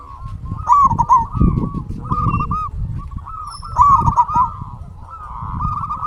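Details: Local zebra dove song used to stir quiet doves into singing: two bright, bubbling cooing phrases stand out over softer continuous cooing from other doves, with low rumbling and knocking noise underneath.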